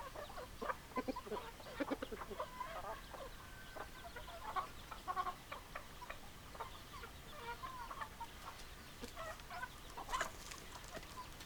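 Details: Hens and roosters in a flock, many short clucks overlapping at mid pitch, busy and continuous, with brief sharper notes near the end over a steady background hum.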